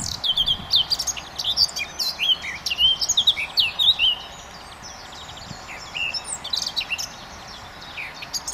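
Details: A Eurasian blackcap (Sylvia atricapilla) sings in the sunshine during the dawn chorus around a park and churchyard, pouring out a rich, rapid warble in bright bursts for four seconds, then softer chirps and twitters from other birds carry on.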